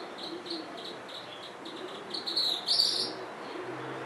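Tropical kingbird giving a brief, high, sputtering twitter that rises to a sharp burst, over faint rapid high chips and a steady background hiss.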